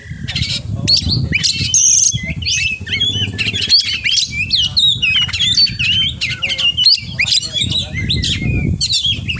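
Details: Energetic 'full isian' singing from a kacer (oriental magpie-robin): a long run of fast, varied whistles, chirps, rattling trills and occasional pure high notes, phrases changing constantly, against a low droning background.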